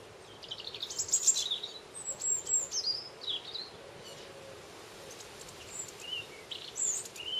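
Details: Common linnet in a garden, giving short high twittering chirps and thin sliding whistles in scattered bursts, some notes rising and falling quickly, over a faint steady background hiss.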